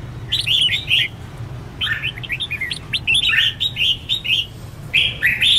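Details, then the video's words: Red-whiskered bulbul pushed into hard competitive song: fast runs of sweet, twittering whistled notes, each phrase rising and falling, repeated in three bursts with short silences over a steady low hum. "Chào Mào Kích Bổi Lên Lửa!.. Luyện Chào Mào Hót Đấu Căng. Thúc Chim Sổ Giọng"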